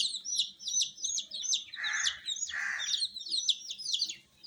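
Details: Colour-dyed domestic chicks peeping in a busy chorus, sharp downward-sliding high notes packed closely together, interrupted midway by two broad noisy whooshes.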